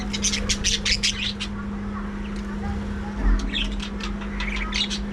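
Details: Captive budgerigars in a breeding colony aviary: a burst of dense, scratchy warbling chirps in the first second and a half, then sparser chatter returning toward the end, over a steady low electrical hum and background rumble.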